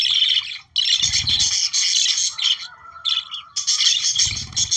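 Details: Budgerigars from Australia, sound intended to trigger breeding, give nearly continuous scratchy warbling and squawky chirps; two short low rumbling thumps break in near the start and end.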